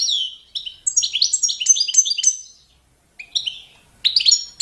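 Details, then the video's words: Balkan goldfinch song per competition rules: descending liquid chirps repeated in quick succession, a brief pause, then a thin buzzy note and a fresh burst of bright twitters, with nothing else audible. "CD za skolovanje štiglića Carduelis balcanica- goldfinch song - World Championship"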